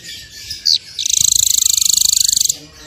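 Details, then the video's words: Small bird on a masteran training track of full tembakan bursts: a short sharp note, then a rapid, very high, even trill of about twenty-five pulses lasting a second and a half before it stops abruptly. "MASTERAN BURUNG KECIL FULL TEMBAKAN VARIASI MEWAH"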